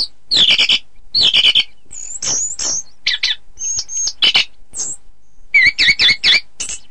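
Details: Singing orange-headed thrush, recorded to train contest birds: buzzy trilled bursts, thin high whistles and a closing series of rapid, rising and falling chirps.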